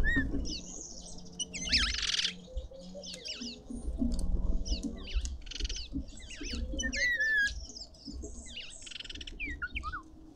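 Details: Red-winged starlings feasting at a garden feeder in suburban Pretoria, South Africa, give busy chattering calls: harsh rasps mixed with short rising and falling whistles, several overlapping over ten seconds, with low rumbling background noise.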